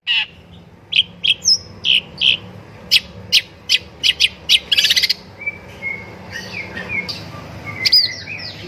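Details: Long-tailed shrike song used as a master recording to prompt singing: sharp high chirps repeated about twice a second, a buzzy burst, then whistled slurred notes and rising squeaks, all high-pitched with a faint low hum beneath.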